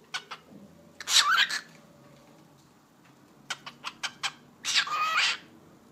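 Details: Household cockatiel mimicking Turkish speech ("eşek sıpası"): soft clicks and tapping, then a loud raspy talking burst, a pause with quiet clicking, and a final hoarse drawn-out phrase.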